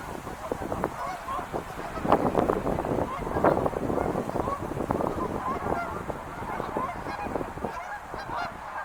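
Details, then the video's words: Wild geese calling together as a flock, a dense overlapping chorus of honks and nasal cackles that swells after two seconds and carries on steadily to the end. "sounds of wild geese"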